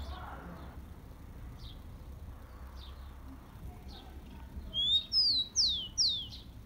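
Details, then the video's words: Tico-tico, the rufous-collared sparrow, with a warm-up song for kept birds: a few soft, spaced chirps, then near the end a rising whistle followed by three loud downslurred whistled notes. "CANTO DO TICO TICO MELHOR ESQUENTA DE TICO TICO PRA FOGUEAR ESQUENTAR SEU TICO TICO"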